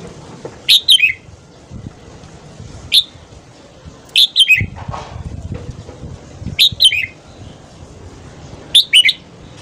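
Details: Morning song of a red-whiskered bulbul, used for voice training and to stimulate other bulbuls: clear whistled phrases of two to four quick notes, plus one lone note, repeating every two seconds or so over a quiet background.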